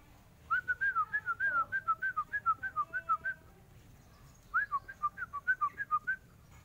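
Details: A kept Yellow-vented Bulbul, being cared for so it starts singing, gives two bursts of quick, bubbly whistled notes, about four a second, over a faint low hum.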